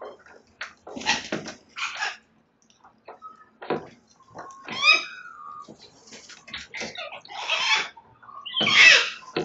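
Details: Sulphur-crested cockatoos chewing up a house verandah in Belgrave South, Melbourne, Victoria, Australia, on the morning of 29 May 2022: harsh, broadband screeches at irregular intervals, mixed with short clear whistled notes and quiet gaps.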